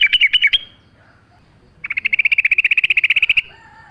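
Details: A brief chatter, then a long even trill of quick repeated high notes from a sooty-headed bulbul, with a soft lower tone after it, on a training recording with nature sounds.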